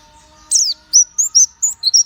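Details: White-eye, known locally as pleci, giving a sharp high downslurred note followed by several short, thin, level whistles at slightly varying pitch.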